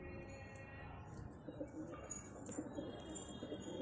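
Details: Soft, rolling coos from a pair of pigeons build in the second half. An earlier stretch holds a steady harmonic tone, and light clatter and hiss run throughout.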